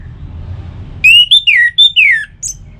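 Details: Orange-headed thrush song played to provoke kept birds: five clear whistles over about one and a half seconds, steady and downward-sliding notes, ending with a faint high squeak.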